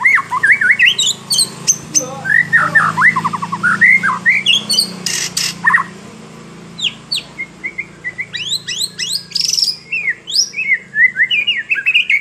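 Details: Singing hard, a white-rumped shama pours out a long, varied song of looping whistles, rapid trills and sharp upward flicks. There is a short lull midway, and a steady low hum runs underneath.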